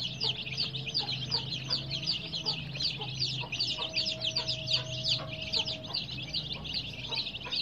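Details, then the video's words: Many colour-dyed young chicks chirp incessantly, a shrill wall of quick falling peeps, with a low steady hum and a brief faint tone partway through. "Baby "Chicks Chirping" Sound"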